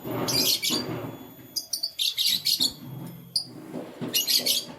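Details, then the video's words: Morning chirping from canaries: quick clusters of high, sharp tweets that come back again and again over a few seconds, with soft low bumps and rustling in the background. "Canary Chirping Sounds"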